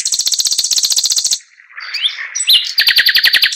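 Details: Chinese hwamei pours out a high, fast trill, pauses briefly, slides through slurred whistles, then launches into another rapid series of repeated notes.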